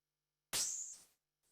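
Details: Blue-winged warbler, a shrubland and old-field bird, singing a thin, very high, dry, unmusical buzz lasting about half a second, not very loud, like a blown raspberry, with a faint second buzz cut off at the end.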